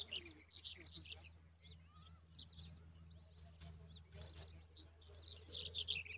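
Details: Babies of the common babbler in a nest give many high, thin chirps and brief upswept squeaks, scattered irregularly then crowding together at the end, over faint rustling and a steady low hum.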